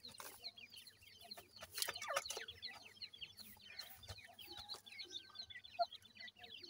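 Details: Grey francolin chicks with their parents: constant high twittering of short descending cheeps from numerous chicks, interrupted by a few crackling knocks and rustles.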